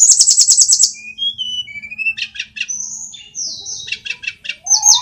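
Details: Tledekan gunung (sulingan) from Kokap, Kulon Progo, Yogyakarta, a small bird said to mimic many songs, singing actively: a fast high buzzy trill, then varied clear whistles, rising slurs and short bursts of chips.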